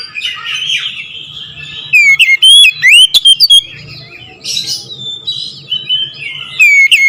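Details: Oriental magpie-robin song: clear whistled notes sliding up and down, with a loud cluster of sharp phrases mid-way, then softer warbling and a final rising whistle.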